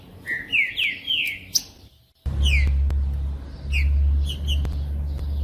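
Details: Green-winged saltator (trinca-ferro) singing as a 'Judas' bird to warm up a cold, quiet saltator: loud whistled slurs falling from high to lower pitch in quick succession, then a cut to a strong low rumbling hum with a few more whistles.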